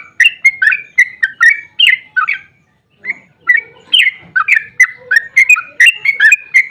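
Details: Energetic sooty-headed bulbul 'ropel' song, meant to prompt other bulbuls to sing. Rapid warbling whistles run for two and a half seconds, a short pause, then a second run with faint lower notes beneath.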